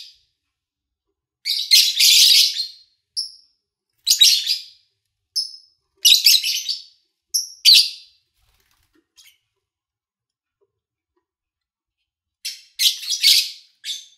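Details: Lovebirds chirping, recorded in August 2019 with reduced engine noise; scattered harsh, buzzy bursts and short pure whistles separated by silences, a long quiet gap, then a final cluster of rasping chirps.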